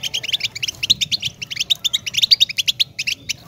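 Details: Goldfinch twittering in quick repeated chirps and trills, bright tinkling notes in tight clusters with short gaps.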